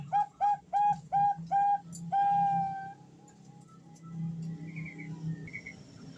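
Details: Female zebra dove of the Bangkok perkutut strain calling a male, played as a singing lure; five quick punchy coos and a long steady note, then quiet with faint distant chirps.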